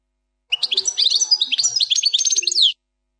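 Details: European goldfinch delivering a single continuous phrase of the 'plak mine' song, given as faultless: quick liquid twitters, buzzy trills and sliding notes for about two seconds, ending on a drawn-out descending note.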